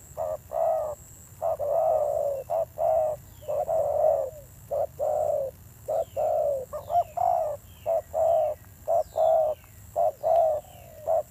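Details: Spotted dove, freshly caught from the wild, delivering fierce-toned coos: a rapid continuous series of deep hollow notes in short-long pairs, some pairs run together, with a thin steady high tone in the background.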